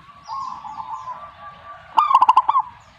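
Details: Zebra dove (perkutut) responding with song: a murky low hum, then a single short burst of throbbing coos, a rising note running into five or six quick beats.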